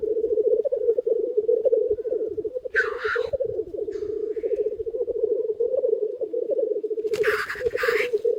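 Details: Many black grouse cocks at a lek near a hide in early spring, gathered on the ground: continuous low, rhythmic bubbling cooing throughout, broken by two loud hissing sneeze-like bursts.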